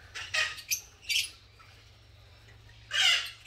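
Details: Wild green personata lovebirds in a breeding colony, pairing and building nests, give harsh, shrill squawks in short bursts, four quick calls then a longer screechy one after a pause, over a low steady hum.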